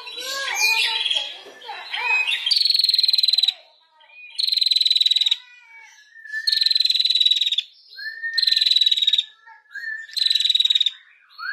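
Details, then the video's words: Female prinia singing in the rapid 'ngetir' style, kept as a tutor recording for training songbirds such as the shama: a jumble of short chirps, then four long buzzy, rapidly pulsed high trills, each about a second long, separated by brief rising notes. "PRENJAK BETINA GACOR NGETIR"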